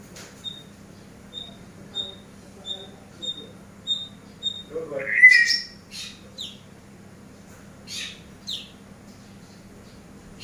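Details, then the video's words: Eurasian tree sparrow master recording for training birds: a steady row of soft, evenly spaced high pips about every half second, then a louder burst of rising, scratchy chirps and scattered sharp notes. "MASTER BURUNG GEREJA"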